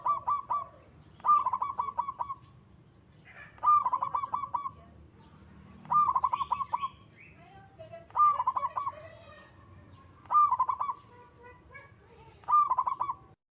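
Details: Zebra dove singing actively with a big voice: short bursts of rapid, staccato cooing notes, each phrase under a second long, repeated roughly every two seconds, with faint chirps from other birds between phrases.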